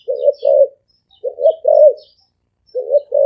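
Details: Spotted dove cooing in the deep, resonant 'thổ ồm vang' style, delivered fast: three low two-part coos, a short note then a longer rolling one, spaced about 1.3 seconds apart, with faint high chirps in the background.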